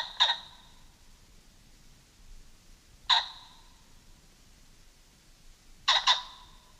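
Pheasant giving three loud, harsh, explosive calls about three seconds apart, the last one doubled; otherwise quiet.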